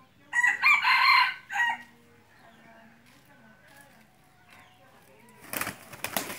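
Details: A red junglefowl kept as a hunting decoy crows once, in three harsh bursts within about a second and a half. Near-silence follows, then a brief rustling or handling noise at the end.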